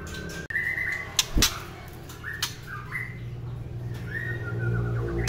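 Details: A white-rumped shama sings a few drawn-out whistles, level or slightly rising, separated by pauses. Loud knocks and clicks break in, and a low droning hum grows toward the end.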